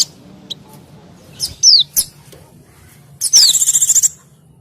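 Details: Lure recording of busy white-eyes for wild small birds. Scattered faint chips lead to a falling whistle, then a loud pulsing rattle with a whistled slur at its start.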